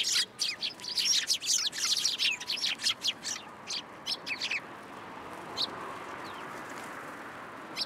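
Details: Large flock of sparrows gathering to be fed at a Tenmangu shrine on 10 January 2023: dense, overlapping sharp chirps for about five seconds, then only scattered single chirps over a steady background hiss.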